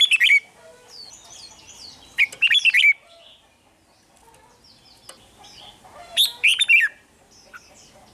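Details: Red-whiskered bulbul singing, played to rouse caged birds: short bursts of loud slurred chirping notes every few seconds, with fainter high thin calls between them.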